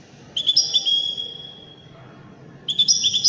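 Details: European goldfinch of the Widani kind in elegant song: a high, tinkling twittered phrase trailing into a thin sustained note, a short quiet spell, then a fresh burst of bright notes, over soft background noise.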